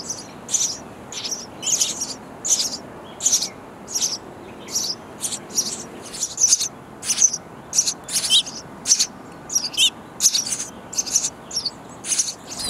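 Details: Sparrow chicks in a nest box beg loudly for insects from busy parents, a long steady series of shrill, scratchy high bursts, about two per second, occasionally overlapping.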